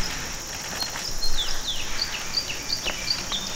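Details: A red crossbill at Bidoup, Vietnam, gives a run of about eight quick, high, downslurred chip notes, spaced roughly three a second, over a steady background hiss.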